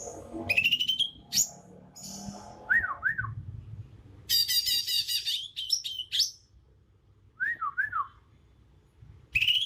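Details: Young wild Bornean green magpie, moulting from juvenile to adult plumage, singing its natural song: sharp rising whistles, a pair of looping slurred notes, and a dense burst of high chattering notes, with pauses between phrases and faint low background noise.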